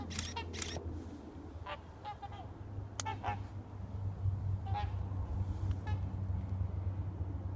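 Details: Trumpeter swans at Mason Wetlands, 4 January 2014: short, nasal, horn-like honks, scattered singly and in quick pairs, over a steady low rumble with faint camera shutter clicks.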